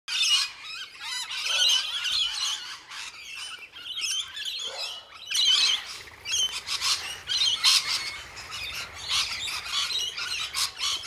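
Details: Wild rainbow lorikeets, taking a supplement feed in winter in July 2014 when flowering trees are scarce, keep up a constant, overlapping chatter of shrill, rasping screeches and squeaks, with several birds calling at once and few pauses.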